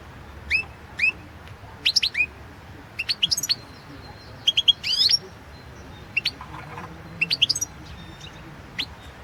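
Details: [1, 'European goldfinch singing in a competition recording from the 2016 World Championship in Goldfinch Song, entry 008/2016. Bright, high, sharply rising chirps and short twittering bursts come in spaced phrases, with quiet gaps between them and a faint steady background hiss.']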